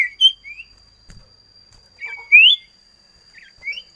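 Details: Short whistled phrases from a common iora: rising slurred notes, one loud upward sweep in the middle and a softer rising note near the end.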